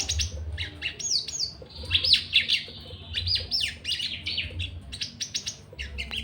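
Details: Javan bush lark in breeding condition, agitated and wanting to mate, often quivering its wings and raising its crest; a busy run of high chirps, trills and slurred whistles with a faint low hum beneath.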